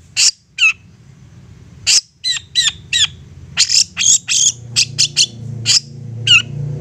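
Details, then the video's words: Insistent long-tailed shrike provoking song, used to spur other shrikes into replying: short harsh high chips and scratchy notes in uneven bursts, faster toward the middle, over a steady low background hum. "Apapun Cendet nya AKAN LANGSUNG MERESPON dan NYAUT lanjut GACOR dengan pancingan Cendet ngotot ini"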